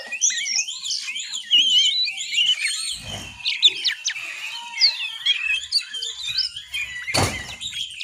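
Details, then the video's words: Young oriental magpie-robin practising its ngiriwik warble: thin, busy chattering and wavering high notes run on without pause, broken by a couple of dull low thumps. "Kicauan burung anak Kacer belajar ngiriwik"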